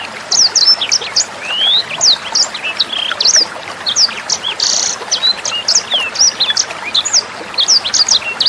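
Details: Tutor recording of a sanger bird for teaching other songbirds and young sangers. Dense, high-pitched chattering song of quick up-and-down whistled notes and short buzzy bursts runs nonstop, with gentle splashing water underneath.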